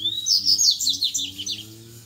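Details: A wild Double-collared seedeater sings against rivals in the "grego" song style: a dense, high, chattering string of sharp whistled notes over a low droning hum.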